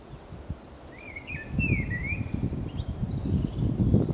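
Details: Common blackbird song from Zamudio on the Camino de Santiago, 28 March 2019: a mellow, wavering whistled phrase, then a higher thin trailing note, over low thumping and rustling close by.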